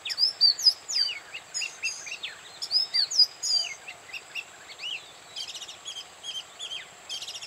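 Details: Oriental magpie-robin singing at Bada, North 24 Parganas, sings a varied run of clear whistles, upslurs and quick falling notes, ending in fast rattling trills, over a steady high insect-like drone.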